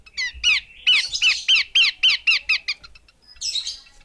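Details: Female Horsfield's babbler in a rapid, loud string of about ten harsh, slurred chirps, roughly four per second, ending with a raspy burst.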